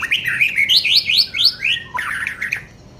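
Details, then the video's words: Young white-rumped shama in loud, rapid song, a string of rising whistled slurs repeated about four times a second, then a scratchy chattering phrase. "NGERII MASIH BOCIL MENTALNYA JOSS!!"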